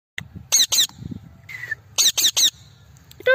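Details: Parrot calling with short, loud, screechy squawks in quick clusters of two or three, separated by brief pauses, plus one thin falling whistle in between.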